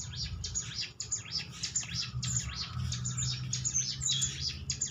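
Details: Prinia (ciblek) song used as a lure to make other prinias answer and sing: dense, rapid high chirps and trills repeated without pause over a steady low rumble.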